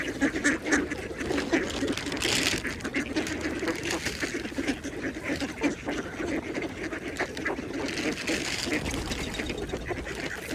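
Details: Mallards (Anas platyrhynchos) feeding at a pond give low, rough quacks and murmuring chatter, several calling over one another, with steady water ambience.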